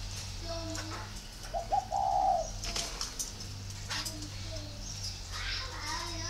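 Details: A single spotted dove phrase from a Ba Vì, northern Vietnam dove-keeping garden: brief introductory note then a long gentle coo, among light clicks and a low hum.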